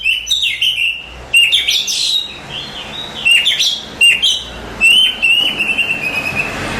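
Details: Contest-champion Oriental magpie-robin singing: clear whistled phrases near the upper-middle range, sliding and warbling with sharp high flourishes, delivered in bursts about every second with short pauses between.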